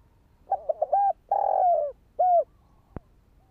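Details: Spotted dove (Spilopelia chinensis) call used to excite a decoy bird in training: quick broken opening notes, a long sliding coo and a short curved closing coo, followed by a single sharp click.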